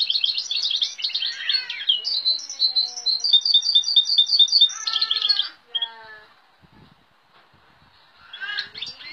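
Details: Goldfinch (Carduelis balcanica) × Timbrado canary mule singing a fast, varied song of high twittering notes, buzzy trills and rapid repeated chirps, with sounds of goldfinch, great tit, cirl bunting, nightingale, rock nuthatch and woodlark, then a short pause.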